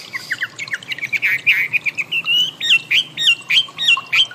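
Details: Chinese Hwamei (wambi) song recorded as training material for cage birds: a fast run of short chirps gives way to loud, looping whistled notes repeated about every quarter second.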